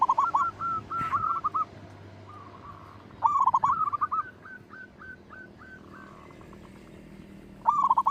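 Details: Zebra dove, local type, sung as a lure for other doves: rapid rolling coo bursts alternate with steady, evenly paced single hooked notes. Quieter birds echo faintly between loud phrases.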